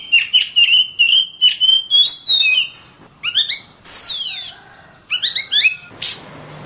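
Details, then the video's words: Oriental magpie-robin in vigorous song, a run of level and gently rising whistles, then clusters of quick stacked chirps, a long harsh descending sweep, and a final noisy burst. "suara burung Kacer gacor"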